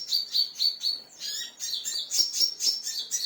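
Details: Agitated crimson sunbird reacting to a lure sound, starting with four evenly spaced high piping notes, then a denser jumble of shrill chirps and brief twittering with some lower slurred notes.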